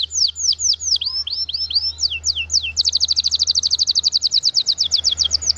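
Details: Canary singing vigorously in the ornate cengkok mewah style: a run of high, downward-slurred whistled notes, then from about the third second a fast, even trill of rapid repeated strokes, with a steady low hum beneath.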